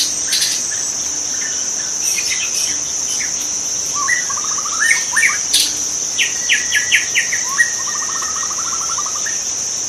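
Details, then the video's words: White-rumped shama in the wild, singing a few whistled notes and then fast, evenly spaced trills rising in pitch, with loud crackling clicks early on and a continuous insect drone throughout. "kicau murai batu di alam liar"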